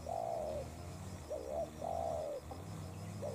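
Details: Spotted dove decoy and wild bird in a contest: long husky coos separated by short stuttered notes, repeated, over a low steady hum.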